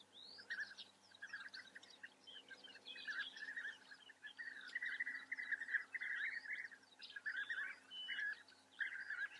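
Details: European bee-eaters in the Eifel, Germany, give rolling, liquid 'prruip' calls, several birds overlapping almost continuously, with thinner high chirps mixed in and a faint steady hum beneath.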